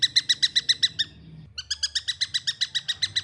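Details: Fledgling long-tailed shrike repeating short rasping notes in quick succession, a break of about half a second, then another fast run of the same harsh chirps; low hum in the background.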